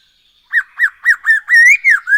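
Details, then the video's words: Black-throated laughingthrush song, played as a lure to get birds singing more: a quick run of loud, arched whistled notes, about four per second, then a longer slurred whistle that rises and falls before a final upward note. "Poksay HONGKONG GACOR SETIAP HARI ‼️Dengan Pancingan ini Bikin Burung Tambah gacor"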